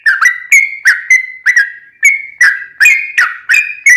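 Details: Sooty-headed bulbul singing its 'ropel' song, used as a lure to get other bulbuls singing back: evenly spaced, liquid whistled notes about three per second, each opening sharply and sliding down.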